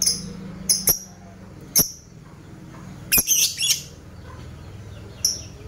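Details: Lovebird in a long ngetik ngekek recording used as a lure to stimulate other lovebirds to ngekek and raise their breeding urge: a few sharp, high chirps with clicks, spaced irregularly, one short burst of squeaky notes near the middle, quiet hiss between.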